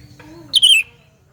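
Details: Sooty-headed bulbul giving a loud lure call meant to attract other bulbuls: one short, bright whistled note that slides downward, with faint murmuring tones beforehand.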